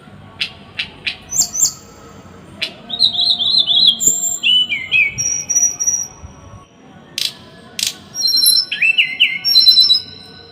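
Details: Small songbird delivering a dense, harsh song as training material for caged birds: rapid clusters of piercing high whistles, quick trills and sharp clicking notes, broken by a short pause midway before another tight burst of slurred whistles.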